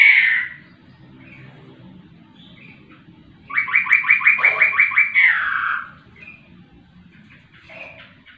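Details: Laughingthrush singing a fast series of about eight buzzy notes, each sweeping through the same pitch and repeated several times a second, then a drawn-out falling slur. Short scratchy notes come before and after, over a low background hum.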